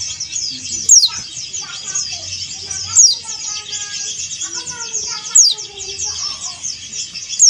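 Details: Calling to a rival, a male Oriental white-eye, Dakun Bali variety with a yellow breast, gives four steep descending squeaks at intervals of about two seconds amid busy high twittering and short stepped whistles.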